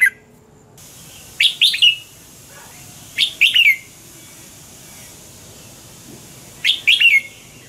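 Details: Red-whiskered bulbul singing its 'double twist' morning song, recorded 2020 for training bulbuls: three short, high, chirpy phrases spread roughly two to three seconds apart over a quiet background.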